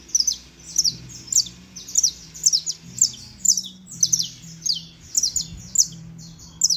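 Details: High, piercing chirped phrases from a saffron finch, repeated in a steady rhythm roughly every half second, each a tight cluster of bright descending notes, with a faint low hum beneath.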